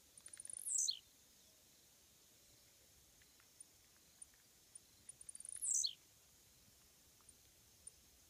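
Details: Blue-black grassquit singing from a fence by a road. Two songs about five seconds apart, each a quickening ticking lead-in ending in a high, buzzy, falling slur. Sparse faint ticks fill the gaps.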